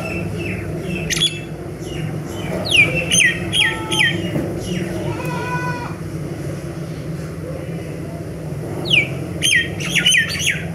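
A myna sings a jumbled run of squawks, harsh chatters and sharp falling whistles in bursts, with a steady low traffic-like rumble underneath.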